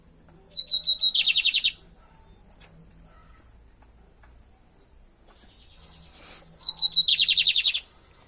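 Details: Lined seedeater singing two short, fast, buzzy trilled phrases about a second long each, roughly five seconds apart, over a steady high-pitched whine that runs throughout.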